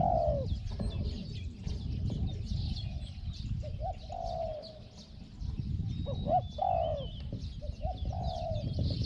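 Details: Spotted dove in a decoy session luring a wild dove, giving scattered hollow coos with gaps between phrases, a short clipped note leading into a longer falling one, over heavy low background rumble and faint high bird calls.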